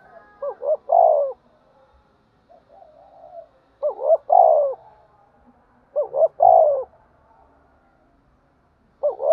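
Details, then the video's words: A spotted dove, stirred up to fight, calls repeatedly. Each phrase has two short, clipped notes and then a longer, mellow, descending coo, repeated about every two and a half seconds, with faint soft murmurs in between. "cu gáy thúc đấu & gáy gọi"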